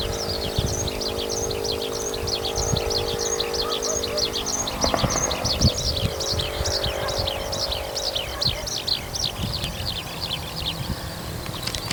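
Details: Evening skylark aloft over farmland after rising from a field, singing vigorously: an unbroken run of high, quickly repeated warbling slurred notes, rising and falling, above a steady low hum and rumbling noise.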